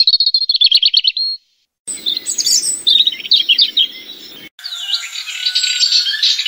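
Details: European robin singing in March 2013: a thin, high trilled phrase, then varied sweet twittering and warbled notes in high pitch, the recording cut abruptly between sections, with faint low rumble in the middle part.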